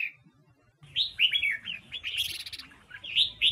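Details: Female red-whiskered bulbul, Huế type, singing to stir captured wild males: after a brief pause a lively stream of looping, warbled notes with higher buzzy overtones, ending in two loud rising chirps.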